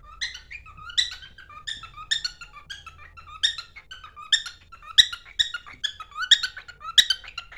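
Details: Male pet cockatiel sings as it runs to its mate inside a small room, giving repeated squeaky whistled notes with rich harmonics, loose rhythm of about two notes a second, a few sharp clicks near the end.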